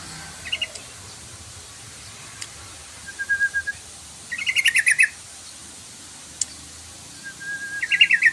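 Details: Lure sound of yellow-vented bulbul to make the bird sing: short rattling bursts of rapid, clicky pulsed notes, separated by quiet spells and a thin steady whistle.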